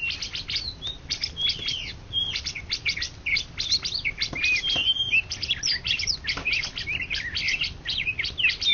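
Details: Cucak ijo (greater green leafbird), first-place contest singer in Indonesia, 2013–2014, pours out a continuous torrent of sharp high chirps, trills and short whistles, loud and unbroken, with low background noise.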